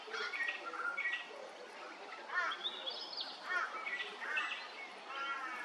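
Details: At Hervey Bay, Queensland, a little friarbird gives repeated harsh, croaking, grating phrases in short bursts about a second apart, set against a noisy background chorus of other birds.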